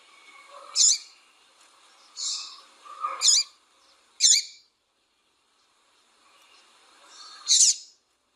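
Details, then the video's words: Female double-collared seedeater calling and peeping to excite and stimulate a male to sing: high, sharp chirped notes spaced a second or more apart, with softer lower twittering between them. "Fêmea Fogosa Chamando e Piando Esquente Seu Coleiro"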